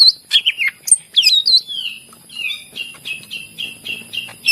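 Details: Greater green leafbird in vigorous song, used to prompt other leafbirds that will not sing: sharp slurred whistles open, then a steady series of short downward whistled phrases roughly every third of a second.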